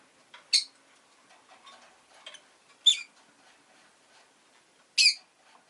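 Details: Rosy-faced lovebird giving three sharp, high, buzzy chirps, each a brief burst spaced about two seconds apart, with faint softer chatter in between.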